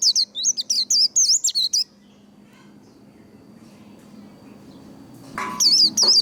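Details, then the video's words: White-eye singing líu đấu style song to stimulate and train singing: a burst of rapid, very high twittering notes, a quiet pause with faint background hiss, then another short high-pitched warbled burst at the end. "Vành khuyên líu đấu. Kích lửa vành khuyên líu đấu"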